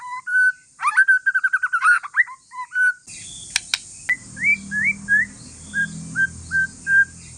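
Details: White-rumped shama of Aceh forest lineage giving a relaxed song meant to provoke other shamas into answering: clear whistles and a quick trilled run, a clicking break, then short rising whistled notes repeated at steady intervals.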